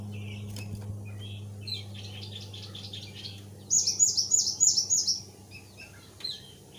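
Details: Used to coax newly acquired white-eyes into singing, this Thick-billed white-eye song begins with soft twitters and builds to a loud run of five ringing high notes, over a low steady hum.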